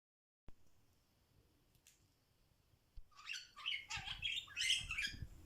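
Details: A pet budgerigar gives a rapid run of bright, scratchy chirps and warbles after a quiet start while calling "Lemon" and searching for its companion cockatiel.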